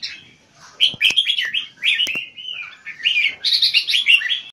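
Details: Caged Red-whiskered bulbul giving high-frequency keke contest song: a quiet start, then three loud bursts of rapid bright rolling notes, with sharp clicks between phrases.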